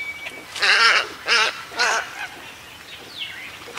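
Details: Tricolored (Louisiana) heron in Everglades National Park, Florida, giving three harsh, nasal squawks about half a second apart, with moorhens and other birds calling faintly in the background.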